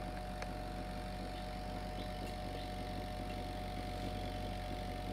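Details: Constant engine-like hum with steady tonal drones and an occasional faint click, no animal calls.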